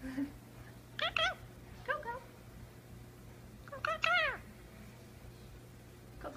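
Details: Talking pet Indian ringneck parakeet indoors, giving two clusters of rapid, harmonic, speech-like syllables about three seconds apart, with a brief softer phrase between them and quiet room noise.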